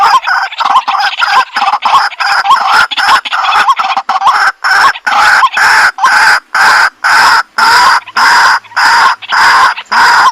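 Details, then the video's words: Bluetooth speaker playback of a white-breasted waterhen (kuro-wakwak): loud, rasping, evenly spaced croaks, about two per second, each with a small upward-bending note at its end, continuing steadily. "Kuro-Wakwak White Breasted Waterhen 100% Effective Sounds via bluetooth Speaker"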